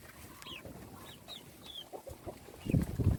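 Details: Young chickens at a meal: several thin, descending peeps spaced about every half second, then a burst of low pecking and rustling noise at the end.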